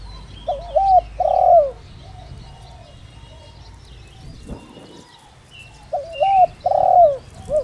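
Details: Decoy spotted dove with the 'đồng rặc' voice, kept to lure and excite other doves. Two identical cooing phrases about five seconds apart, each of quick low notes and a drawn-out vibrating croo, with quiet between them.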